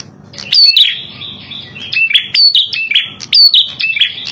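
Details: Red-headed prinia training and trapping recording: quiet start, then repeated high twittering phrases with sharp rising whistles and clicky chirps, a low hum in the background.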